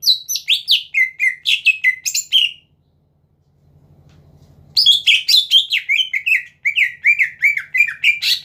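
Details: Two dense bursts of varied whistled and chattering notes from a caged greater green leafbird, separated by a silent gap with a low hum, sung to draw rival birds into song.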